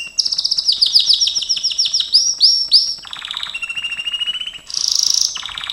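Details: Gloster canary song used for training, opening with a fast series of high descending chirps, then a few swooping notes, a lower even trill, and a bright, hissy burst before closing chirps.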